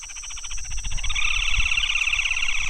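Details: Red-and-white Crake, a Brazilian rail: a rapid, high, pulsing trill that speeds up into a dense rattling churr, over a low background rumble.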